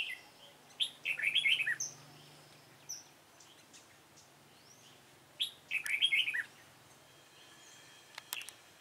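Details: Red-whiskered bulbul with a dark bib, recorded during trapping with a decoy bird on 28 February 2017: two bursts of quick, bright warbled notes about four seconds apart, with scattered thin high chirps between them.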